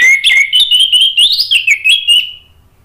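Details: Orange-headed thrush, a caged bird, used as a lure for singing: a continuous two-and-a-half-second string of loud, slurred whistled notes rising and dipping in pitch, ending abruptly in silence.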